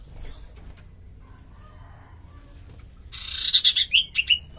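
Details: Common iora singing vigorously for use as a lure: after a low, quiet stretch, a harsh buzzy burst runs into a descending string of short whistled notes, ending in a few clipped, separate notes.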